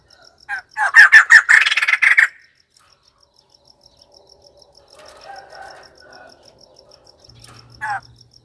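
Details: White-crested laughingthrush giving a loud, rapid, cackling burst near the start. Softer warbled phrases, a low hum and one more harsh note follow, with a faint steady high ticking throughout.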